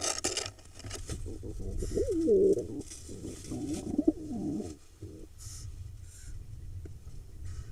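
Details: Courting male pigeon with a female in a barn owl nest box, Hula Valley, Israel, July 2021: two low, throaty, undulating coos in the middle of the recording, with rustling and faint background hiss.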